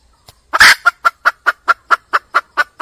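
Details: Wild junglefowl hen calling for a mate. A soft note comes first, then a loud rasping burst, followed by about ten quick, evenly spaced clucks.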